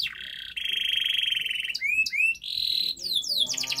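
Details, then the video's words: Canary master song intended to get a quiet canary singing: a sustained rattling trill, paired upward-sweeping whistles, another buzzy roll, then a burst of fast falling notes. "Masteran kenari GACOR NGOTOT untuk Pancingan Kenari Tidak Mau Bunyi Agar Bunyi"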